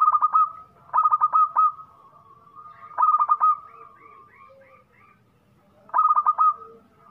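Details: Local zebra dove, a loud, actively singing bird, giving bursts of rapid staccato cooing notes ending in a drawn-out coo, repeated about every three seconds against a quiet background.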